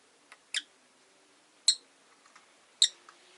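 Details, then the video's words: Three bright, sharp calls from caged Rosy-faced lovebirds, about one second apart, with faint ticks between. The five birds are kept indoors in a cage by a window. "Lovebird Chirping Sounds"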